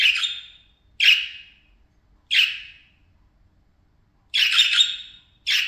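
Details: Parakeets at play time, playing and chattering, give harsh, buzzy squawks roughly every second, each burst broad and fading, with a longer rasping chatter near the end; quiet room otherwise.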